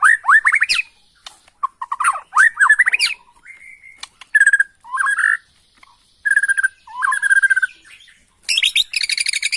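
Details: Bornean white-rumped shama in full, excited song used to provoke other birds into answering, with rich, varied phrases of rising slurred whistles, buzzy notes and sharp chips, delivered in bursts with short pauses.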